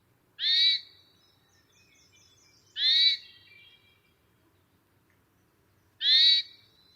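American Robin alarm call: three harsh, high, squealing bursts about every two to three seconds, each loud and abrupt, with quiet background between.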